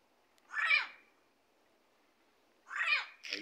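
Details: Yellow-headed amazons that have moved into a plaza in Ciudad Mante give loud, harsh, slightly nasal squawks, two calls about two seconds apart.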